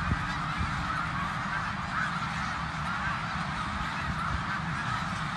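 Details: Migrating snow geese massed at Bath, Pennsylvania, 19 January 2021, producing a relentless chorus of barking honks at even loudness, carried over a low, rumbling background.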